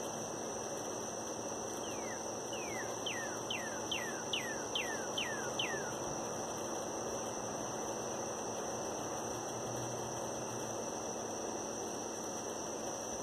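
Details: A northern cardinal sings in the morning, giving a quickening run of about eight clear, downslurred whistles over four seconds against steady high insect drone and a low background hum.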